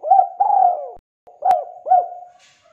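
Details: Spotted dove (tekukur) singing constantly, kept as a lure to get other birds singing. A short burst of mellow, rolling coos, broken by a brief gap and a sharp click, then two more clipped coo notes.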